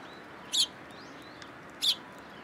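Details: Sparrows coming to a post to be fed at a Tenmangu shrine on 22 October 2022. Two short, high chirps come about 1.3 seconds apart over a steady, soft hiss.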